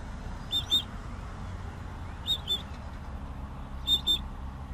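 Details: Southern grey shrike singing: short paired high whistled notes, each pair sharp and clipped, repeated about every one and a half seconds over a steady low rumble of background noise.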